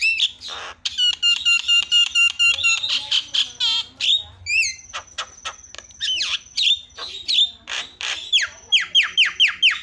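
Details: Javan myna calls played as a lure to set other mynas calling: fast series of ringing whistled notes, then rising chirps, a long level whistle and a string of harsh downslurred squawks.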